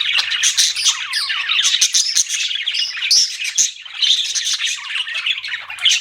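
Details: Budgies twitter busily, mixing rapid chirps, scratchy warbles and clear high whistled notes in a continuous flock chatter.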